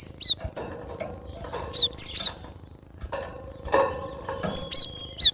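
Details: Gelatik batu, the cinereous tit, gives high, clear whistled phrases of sharp, paired notes stepping downward. The phrases come in three groups over a few seconds, with soft low rumble and a brief thud between them.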